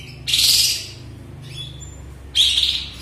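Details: Post-moult Sooty-headed bulbul, once silent, now singing freely: two loud, full, burry high phrases about two seconds apart with a thin whistled note between them, low hum underneath.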